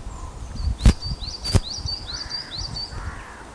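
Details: At a Loch of Lowes nest webcam in Scotland, a female osprey responds to her mate's skydance display with a rapid string of high, rising whistled chirps. Two loud knocks sound near the start.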